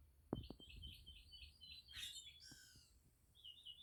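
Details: A grackle gives a harsh, squeaky, rasping burst and then a falling whistle, while a mockingbird sings in the background with a rapid series of short chirps over a few low knocks.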